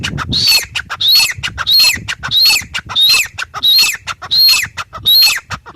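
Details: Steady, strident calling of a grey francolin, local name teetar: eight shrill, scratchy phrases, each with a high whistled note, evenly spaced about every 0.65 seconds over a faint low background hum.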